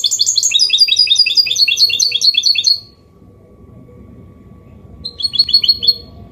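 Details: Goldfinch mule giving a clean Copia Málaga song for prompting males to sing and teaching chicks: almost three seconds of rapid, repeated twittering phrases, a quiet gap, then a brief trilled phrase resumes.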